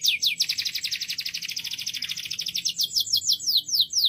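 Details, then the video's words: Canary in loud song: a long rolling trill of very quick repeated notes, followed by a series of sharper descending notes. "طائر الكناري يغرد بقوة.O canário está cantando alto. El canario gorjea fuerte."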